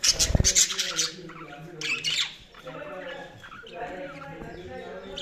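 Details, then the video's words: Budgerigars chirping and squawking: a loud burst of harsh, buzzy squawks at the start, then overlapping warbled chatter with low murmuring tones underneath and scattered sharp chirps. "Budgies Sounds| Budgies Chirping sound"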